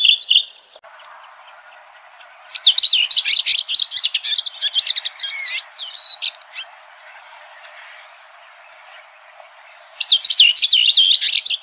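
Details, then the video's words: Red-throated thrush singing over a faint hiss. Bursts of jumbled, squeaky twittering with looping whistled notes alternate with quieter gaps, and a final lively burst closes the passage. "Red Thrush Singing.(Turdus ruficollis)."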